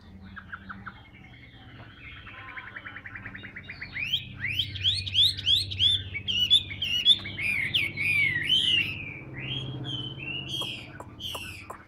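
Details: A caged Hwamei of the tam hoàng sort, noted for singing abundantly, starts with soft rapid chattering notes, then bursts into a loud rush of sharp, up-and-down whistled phrases that fade back into scattered clicks.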